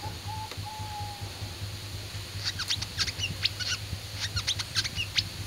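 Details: A low, drawn-out whistle opens, then a fighting-class oriental white-eye sings quick high, sharp twittering notes in a halting series over a persistent low hum.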